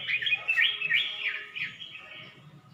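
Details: Red-whiskered bulbul kept in a cage in Suan Phueng, Ratchaburi, Thailand, on 29 May 2020, just beginning to sing after three weeks with a new keeper; a quick rolling series of rich, slurred warbles over a soft low hum.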